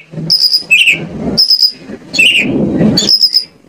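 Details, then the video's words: Oriental magpie-robin lure song from Indonesia, meant to make other magpie-robins answer: sustained thin high whistles alternate with lower slurred notes, over a low rumbling background noise. "PANCINGAN KACER AGAR ON MAU NGOBRA !! KACER MANAPUN PASTI LANGSUNG NYAUT..."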